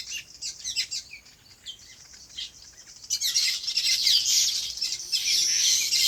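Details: Birds chirping in their natural habitat on a farm: scattered thin high chirps at first, then after three seconds a dense, loud chorus of overlapping bright twitters and rapid tweets from several birds.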